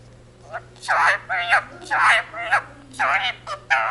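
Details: Indian ringneck parakeet living with a family, talking in Punjabi (the jaikara "jo bole so nihaal sat sri akal"), giving about seven quick, shrill, voice-like syllables spaced roughly half a second apart.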